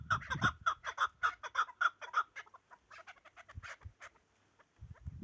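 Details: Chukar partridge from the Pamirs giving a rapid series of short, clipped chuk notes, about four per second for two seconds, then looser, softer notes with a few low thumps.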